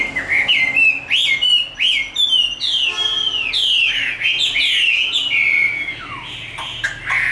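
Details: Chinese hwamei, a tame caged bird, in fighting song: a run of loud downslurred whistles, each sweeping from high to lower pitch, strung together with quick twittering bits.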